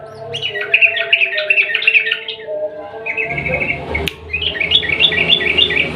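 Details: Yellow-vented bulbul singing the long, rapid 'ropel panjang' style, meant to prompt a silent bird to join in: near-continuous chattering, bubbling phrases at a fast pace, pausing briefly midway before resuming.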